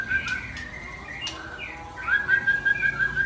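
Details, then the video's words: Murai Aceh, or white-rumped shama, singing steady, fluty whistles near one pitch, first soft, then a louder rapid run of repeated notes toward the end, with a few clicks in the background. "Murai Aceh # Power Full"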